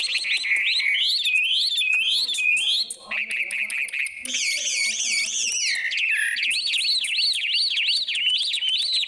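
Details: Songbird delivering a loud, continuous, varied song of clear whistled phrases: rapid rising-and-falling slurred notes repeated in series, some higher sweeping trills, with quick changes of pattern throughout.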